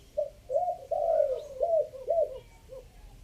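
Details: Spotted dove's three-note coo: a brief note, a long drawn-out low coo, then several shorter falling coos, with faint background noise.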